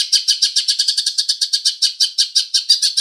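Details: Green leafbird song imitating house sparrow: rapid run of bright, even chirps repeated about eight times a second, steady and loud throughout.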